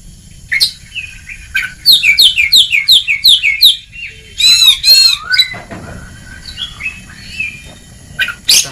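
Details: Ngeplong-style song of an Oriental magpie-robin (kacer), meant to coax silent birds into singing: a fast regular series of about ten paired chip notes, then loud ringing rapid trills and softer whistles.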